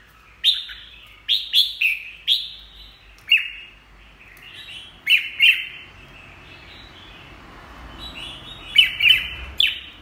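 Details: Red-whiskered bulbul singing loud, clipped whistles. Each phrase opens with a sharp high note and drops into a short warble; roughly seven bursts are spread over ten seconds with quiet gaps.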